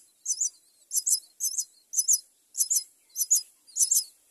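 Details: Common myna chick begging while its mother brings food; rasping high-pitched double bursts repeated roughly every half second, steady and insistent, with quiet gaps between.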